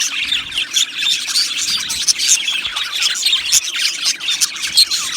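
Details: Colony of Australian budgerigars in an aviary, singing and chirping: a dense, continuous chatter of high, scratchy chirps and warbles overlapping throughout, with sharper squeaks standing out now and then.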